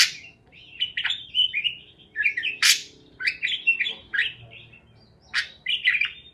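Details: Parakeets chirping, played to help lonely parakeets chirp; a busy chatter of warbled, chirpy notes broken by harsh scratchy bursts, with brief pauses between runs.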